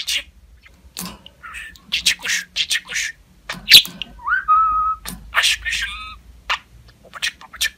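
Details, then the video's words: Pet budgerigar talking: rapid raspy, scratchy chattering bursts mixed with short clear whistled notes, including a steady whistle near the middle, in a quiet indoor setting with a low background hum. "Konuşan Muhabbet Kuşu"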